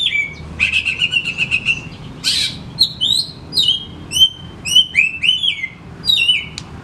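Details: Caged oriental magpie-robin giving a stimulating song for reluctant kacer: an opening buzzy rattle and a scratchy burst, followed by a lively series of clear, descending whistled phrases repeated in quick succession.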